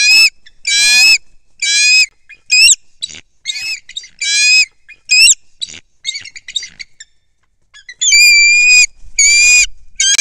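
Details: Wild bald eagle pair at a nest over 100 feet up a loblolly pine on the shore of Kincaid Lake, Louisiana, in December 2023, giving shrill piping squeals and rapid broken chatter, uneven bursts overlapping, ending with two long ringing screams.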